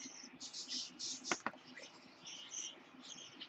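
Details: Young lutino parakeet kept as a pet, born 26 October 2015, giving buzzy, drawn-out chirps with two sharp clicks in the middle of the run.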